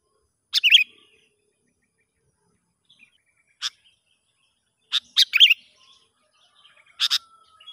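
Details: Sooty-headed bulbul heard outdoors during a test of a young lure bird in the wild: several short warbled phrases and sharp single chips scattered irregularly, with quiet gaps.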